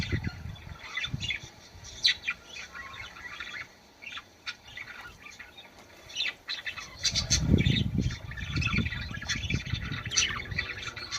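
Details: Chattering budgerigar song used to encourage birds to mate, with quick irregular chirps and squawks running throughout and heavy low rumbling noise in the second half.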